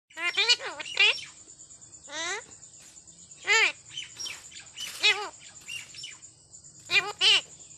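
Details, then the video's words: Pet parrot talking in a sweet voice: a string of short harmonic speech-like syllables and chattering squawks, separated by pauses of about a second, with a steady high electronic whine in the background. "Talking parrot!!so sweet voice!!"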